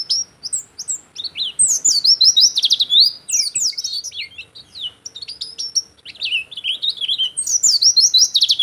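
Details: Singing Oriental white-eye, a lively pleci song meant for tutoring caged birds or luring wild ones: long stream of high, fast twittering and sweeping whistled notes, about three notes a second, with brief pauses between bursts.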